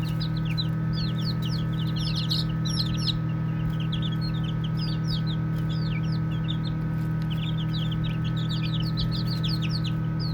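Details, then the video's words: Several baby chicks playing and peeping, quick, thin, falling notes that bunch into lively runs, with a faint rustle and a persistent deep hum. "5 Minutes of Baby Chicks Chirping Sounds | Cute Playing"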